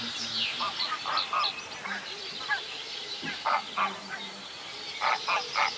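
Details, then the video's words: Whooper swan at Vilkkilänturan in Virolahti calling very oddly, apparently with something stuck in its throat, drinking water constantly and barely feeding; short harsh nasal honking bursts in uneven runs, some rapid and clustered, over a steady background hiss. "Laulujoutsenen kipeä kurkku"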